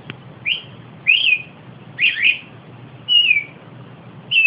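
Austral thrush giving clear, slurred whistled phrases, some rising and some falling, about one per second with short pauses between, over a faint low hum.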